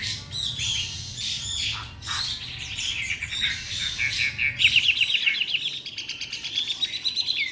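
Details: Young caged white-rumped shama, three months old, delivering a rapid warbling song of trilled, buzzy phrases, growing into a fast run of repeated notes toward the end.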